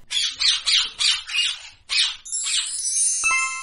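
A parrot gives harsh, raspy squawks, about six in quick succession over two seconds, before a musical tone comes in and carries on to the end.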